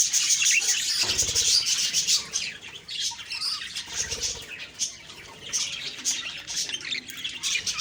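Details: Morning chirping of budgies, October 2, 2023: loud twittering at first, a couple of low fluttering thumps, then a softer, patchier run of quick high chirps.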